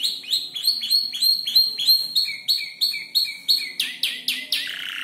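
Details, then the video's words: Canary aged about five months, assembling its song from imitated ciblek, klik-klik and prenjak lumut calls, repeats clipped high chirps in steady series, dropping to lower notes before ending in loud sweeping syllables. "Kicau burung kenari gacor noto lagu U 5 bulan"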